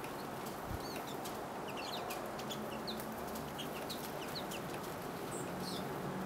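Pine siskins give a scattered chatter of short, high, twittering notes every fraction of a second, with soft wing flutters and steady background hiss.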